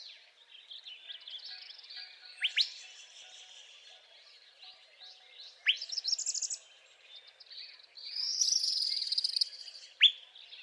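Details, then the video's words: Northern parula singing in spring: a buzzy trill rising toward a high finish near the end, among scattered sharp downward chips and other faint birdsong. "Northern Parula Singing in Spring"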